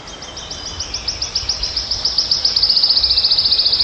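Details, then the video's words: Wood warbler (cikrak daun) recorded in the wild. High, bright ticking notes accelerate smoothly, growing louder as they merge into a rapid, rattling trill. Faint low background hum. "Burung Kicau Alam Liar Burung Cikrak Daun( Wood Warbler Birds )"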